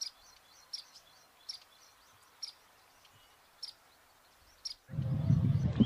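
Indian silverbill giving soft, high, thin chip notes in loose succession, a few louder ones about every second, before a burst of low rumbling noise at the end.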